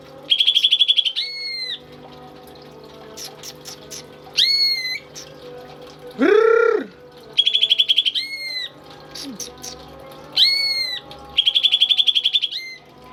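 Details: Tame pet greater green leafbird singing actively: rapid buzzy trills of evenly pulsed notes alternate with long, clear, level whistles that drop at the end, with a short low arched note mid-sequence, repeated across about thirteen seconds.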